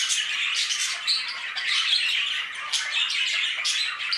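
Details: Budgerigars in an aviary chirp and warble together in a lively, continuous chorus of short whistled and buzzy notes, with scattered louder calls.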